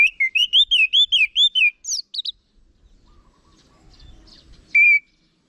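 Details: Orange-headed thrush delivering a quick run of about ten bright, arched whistled notes, followed by a few sharper high notes, a near-silent pause and one final clear whistle.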